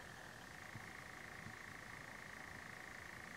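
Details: European nightjar near Almunge, Sweden, with the bird also in flight; a faint, steady mechanical churr holds one even pitch without a break through the whole stretch, over a low background rumble.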